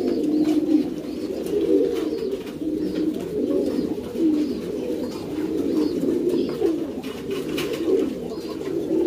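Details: Kept pouter pigeons in a loft fill the air with an unbroken, swelling and fading chorus of low coos, punctuated by faint taps and rustles.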